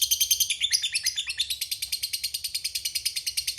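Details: Fighter lovebird in long 'ngekek' chattering, a provoking lure for rival birds: very fast, shrill rattling notes pour out continuously, briefly uneven early on before settling into an even rhythm.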